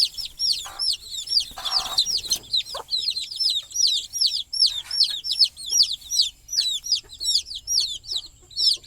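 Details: Domestic chicken chicks at night, settling on the nest with their sleeping mother hen perched on a stick; dense, high, arched peeps repeat rapidly and overlap, with a few short, low clucks from the hen early on.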